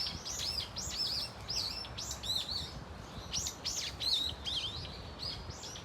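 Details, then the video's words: Several Brown-eared Bulbuls together at Dunsan Grand Park: loud, clear, arching whistled squeals, each rising then falling, follow one another quickly in a noisy chorus. "직박구리 무리 다양한 울음소리 Brown-eared Bulbul sound of crying"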